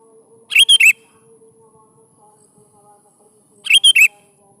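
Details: Sooty-headed bulbul song used as a lure so young birds answer and sing: two short bubbly phrases of three quick, slurred notes each, about three seconds apart, over a faint low hum.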